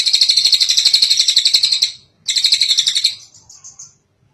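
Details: Kingfisher, recorded as a tutor sound for training other birds: a rapid, dense, high trill of buzzy repeated notes, about two seconds long, then a shorter burst after a brief pause, fading into a few softer notes.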